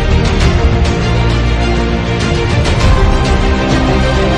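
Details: Loud, dense music fills the whole recording with a steady heavy low end and no animal sound.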